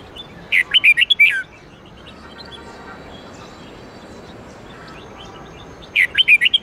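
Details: Red-whiskered bulbul, twisting '8-9-10 note' song used to train bulbuls: two identical phrases of rapid whistled notes about five seconds apart, separated by steady outdoor background noise.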